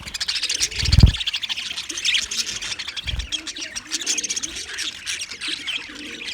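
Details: Flock of English budgies, February 14, 2024: continuous high chattering chirps over a steady background, broken by two loud low thuds and soft rising-falling coos in the middle range.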